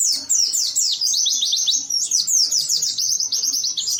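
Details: Oriental white-eye, agitated and singing with beak wide open: a nonstop, rapid stream of high, sharply downslurred chirps, several per second, bright and twittering throughout.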